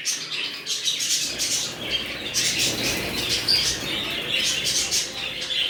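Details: Budgerigars in a new colony warbling and chirping steadily, a dense wash of high scratchy notes, with rustling and low background noise from the room.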